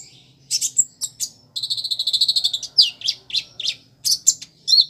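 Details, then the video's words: Purple-throated sunbird (konin) in full song with mimicry of other birds, sparrows and chicks: a high, thin run of sharp chips, a fast buzzy trill and quick downslurred notes over a faint low hum. "Kolibri Ninja (Konin) Gacor Isian Ciblek, Gereja, Anak Ayam, Dll"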